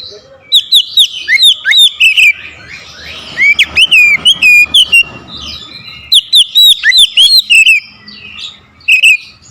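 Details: Oriental magpie-robin roused against a rival, belting out loud song in repeated bursts of fluty looping whistles and crisp chirps, several phrases in quick succession with short pauses between groups.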